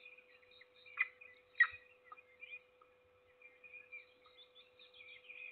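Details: Single peregrine falcon chick being fed in Trzebież Forest District, Poland, 7 May 2022; two loud raspy squeals early, then quieter high wavering chirps, with a faint thud and steady background hum.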